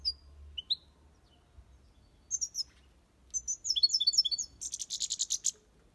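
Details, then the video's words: Aviary European goldfinch performing copia Malaga song: a few isolated high slurred notes, then quickening bursts of liquid twittering that end in a dense, buzzy trill, all very high-pitched against a quiet low background hum. "Goldfinch song/ best chirping of the goldfinch | Jilguero Cantando copia malaga/ chardonneret chante"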